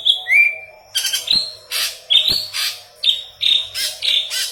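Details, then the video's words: Intensely singing yellow-headed leafbird, recorded as tutor song for green leafbirds: an opening falling whistle, then repeated phrases of a short clear note followed by a broad harsh buzzy burst, with a steady hum beneath. "Burung Murai Daun Kepala Kuning Gacor"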